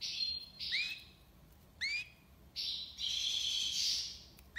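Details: European goldfinch from Algiers, Algeria, singing in the tiwawati song style: bright buzzy twittering bursts broken by sharply rising whistled slurs, with short pauses between phrases and a quiet background.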